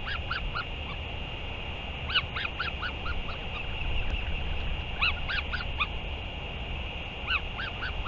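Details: Northern royal albatross recorded on 31 May 2023 during a return and feeding: groups of short, arched, harmonic calls come in bursts around two, five and seven seconds, over a steady high hum and constant low rumble.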